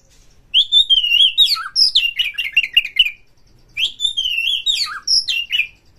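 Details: White-rumped shama singing to provoke other shamas: two long rich phrases of flowing whistles that break into quick rhythmic chattering notes, with a pause between phrases.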